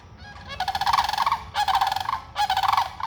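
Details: Loud rolling, rattling bugles from sandhill cranes near a feeding area, given in three long bursts, each a fast throaty trill with rich overtones and brief pauses between.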